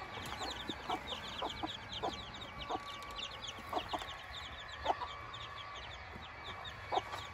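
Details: A flock of newborn Silkie chicks on their first outing with four hens keeps up rapid high peeping. Short mid-pitched hen clucks break in every second or so.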